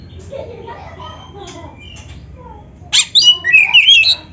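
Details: Oriental magpie-robin narung song played to train other kacer: soft, faint warbling at first, then a sudden loud rasping note followed by bright wavering whistles.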